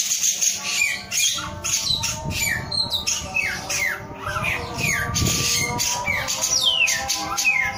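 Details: A male samyong sings a long sequence of quick downward-sliding whistles, some rising first, interspersed with noisy squeaks. Faint low thumps and a hum run underneath.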